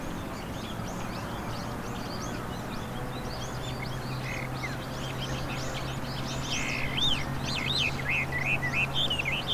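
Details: Wild, introduced Chinese hwamei singing in spring among riverside cherry trees in Hiratsuka, Japan, recorded on a RODE VideoMicro: rapid varied whistled phrases, fast looping and rising notes growing louder toward the end, under steady broadband background noise.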